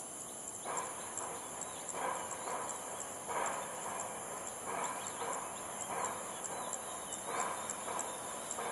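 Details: Ruddy-breasted crake recorded at Jurong Lake Garden on 18 June, calling a steady series of harsh, grating notes roughly every 1.3 seconds, against a continuous high insect drone.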